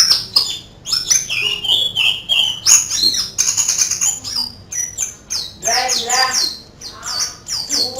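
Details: Oriental white-eye delivering canary-style song: varied high whistles, buzzy trills and rapid downward-sweeping chirps in irregular, tumbling phrases.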